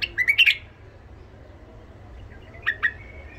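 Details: Tame Iraqi white-eared bulbul with a rough voice, sung to tutor young bulbuls and stimulate wild ones: a quick burst of bright chirping notes, then a short pause and two more clipped chirps.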